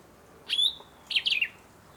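A clear, high whistled note from a Sombre Greenbul, held briefly, then a quick burst of three slurred, falling notes. The background is quiet.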